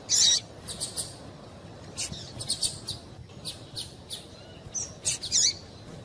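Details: Female double-collared seedeater giving calls meant to make a male sing: short, high, sharp chirps in loose bursts, several clustered near the start and end, with quiet background hiss between.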